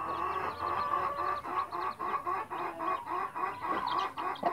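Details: Mother hen with her chicks: fast rhythmic clucking, about three to four pulses per second, steady and repeated, with faint high chick peeps above.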